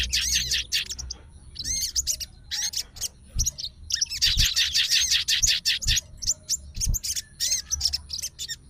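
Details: Sooty-headed bulbul, a fighter type said to be emotional and calling a rival, sings long bursts of rapid, shrill chatter mixed with looping whistled notes. Occasional knocks sound below.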